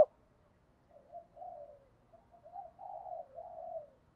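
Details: Soft, distant spotted dove cooing used as a fighting lure: a series of low, hollow coos in short groups, rising slightly and then falling, quiet against a faint background hum.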